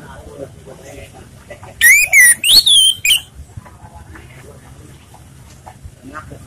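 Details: Relaxed song of an orange-headed thrush, meant to coax other birds into singing: one bright whistled phrase of several quick, slurred notes, loud against faint background chatter and otherwise quiet surroundings.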